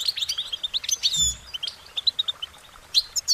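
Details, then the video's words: Goldfinch song: a fast run of short, high twittering and warbling notes, some chirps sliding up or down, delivered in quick bursts with brief pauses between them. "Uplifting Chirpings Motivational Goldfinch Singing their Song"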